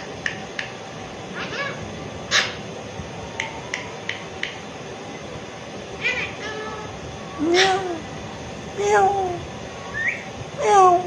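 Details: Pet Alexandrine parakeet chatting and meowing in imitation: scattered short clicks and brief notes, then drawn-out wavering meow-like calls that grow louder and lower toward the end, with faint household hum.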